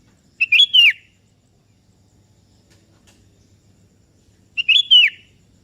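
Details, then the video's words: Sooty-headed bulbul, the kebo type of kutilang, calling a rival that answers: two short whistled phrases about four seconds apart, each a quick rising note then a descending slurred whistle, over quiet background. "Suara Merdu Burung Kutilang KEBO Gacor Memanggil Lawan Ikutan Bunyi"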